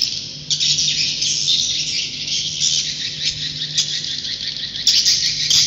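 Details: Swiftlets in a rich high twittering chorus of rapid overlapping chirps, growing louder after a quieter start, with a steady low hum in the background.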